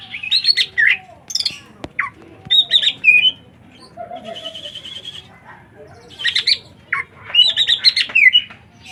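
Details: A bird pours out lively twittering song: bright whistled slurs, rapid chirps and a buzzy trill, repeated in energetic bursts over nine seconds.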